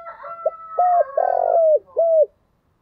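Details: Spotted dove, used as a calling decoy for trapping, cooing: a short note, a clipped coo, a long rough drawn-out coo, then a final hollow coo, all low and mellow. Higher drawn-out calls of another bird sound faintly at the start.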